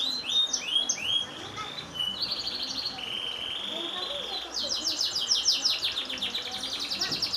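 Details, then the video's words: Long canary song mixing looping whistled notes, a flat sustained buzzy trill and then a fast rattling run of high descending chirps. "suara panjang burung kenari extra joss"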